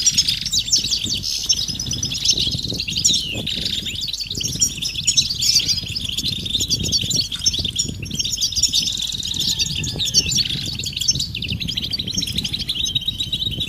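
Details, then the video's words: Many European goldfinches twittering together, calls described as stimulating males to sing: long, unbroken high-pitched chatter of chirps and trills, over soft low fluttering or rustling. "بتبتة جماعية رهيبة لتحفيز الحسون على التغريد والهيجان"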